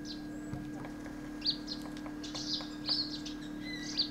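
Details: Himalayan woodpecker repeating brief, piercing high notes at irregular intervals, some doubled, against a constant low hum and faint clicks.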